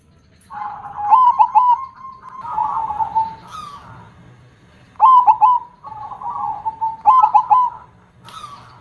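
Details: Zebra dove singing loudly in the deep KONG voice style. Resonant coo phrases built of quick stuttered notes and a falling rolling tail recur three times, with softer coos between them.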